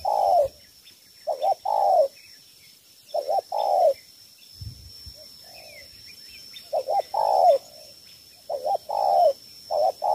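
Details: Cà Mau spotted dove giving three-note 'thổ 3 âm' coos meant to attract wild doves: soft paired hoots followed by a drawn-out descending coo, phrases separated by pauses over ten seconds; a faint hum throughout.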